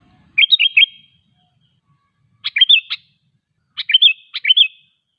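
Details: Sooty-headed bulbul song used as a lure to draw other bulbuls, including wild ones in forest, into singing: three short bubbly phrases of rapid chirpy notes with a falling flourish, separated by pauses of about a second.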